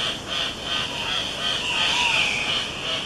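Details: Andean cock-of-the-rock males (scarlet subspecies sanguinolentus) displaying at a dawn lek for females in the cloud forest of Mindo, Ecuador, give harsh, nasal squawks in a dense, overlapping chorus, nearly three calls a second, with a steady hiss behind.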